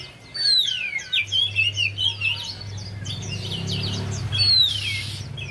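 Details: Javan white-eye singing, a lure recording to prompt a quiet bird to sing: quick descending whistled slurs and busy high twittering phrases, one long falling whistle near the end, low hum in the background.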